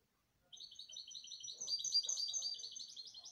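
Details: Continuous canary song of fast, repeated high trilled notes that rises in loudness and runs unbroken for about three seconds, with faint low background murmurs.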